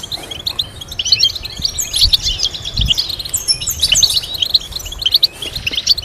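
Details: European goldfinch kept for breeding, singing rapid twittering phrases of short chirps and trills high in pitch, with bursts of other twittering birds overlapping and low thumps in the background.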